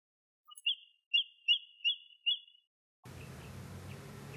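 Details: An American avocet, preening and flapping its wings, gives a quick run of five sharp, high "kleep" notes, a little over two a second, followed by a steady rush of background noise.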